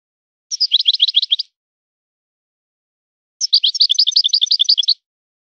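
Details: European goldfinch singing 'son of the forest' style: two bursts of rapid, crisp twittering notes separated by two seconds of silence, with the second burst longer and richer.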